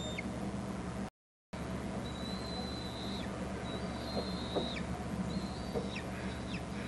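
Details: Eaglets of bald eagles at a camera-watched Hornby Island nest, an adult arriving with food: level high piping whistles with abrupt downward drops, several in sequence after a short gap of silence, above a low background hum.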